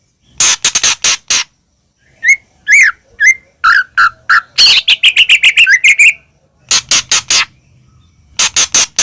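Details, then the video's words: White-rumped shama sounds used to goad other shamas into song: groups of harsh, rasping chattering notes alternate with clear whistled phrases and a quick jumble of notes in the middle. "murai batu gacor AMPUH buat PANCINGAN murai batu agar bunyi"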